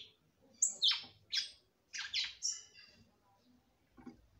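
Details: Female red-cowled cardinal singing to stimulate her male: about six sharp, downward-sweeping whistled notes in quick succession, then near quiet with one faint final note.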